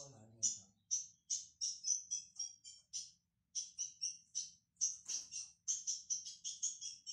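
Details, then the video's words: Young ultramarine grosbeak in training, singing: a steady series of high, short buzzy-whistled notes repeated roughly every third of a second in runs with brief pauses, a faint low voice at the start. "AZULÃO JOVEM-Pegou No Pé Primeira Vez"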